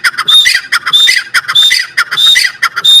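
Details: Partridge (teetar) calling in loud, grating squawks with brief whistled notes, repeated in quick succession about every half second.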